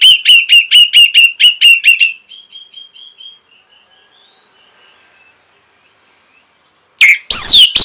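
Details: Orange-headed thrush song for training caged birds. A rapid series of about ten loud, clipped notes fades into soft, descending whistles and a long quiet gap. It closes with harsh, sweeping high notes.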